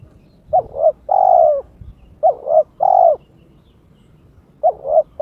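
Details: Kept spotted dove (terkukur) in breeding mood, calling to challenge an opponent: three clear phrases, each two short hollow notes leading into a prolonged, slightly descending coo, with soft background rumble.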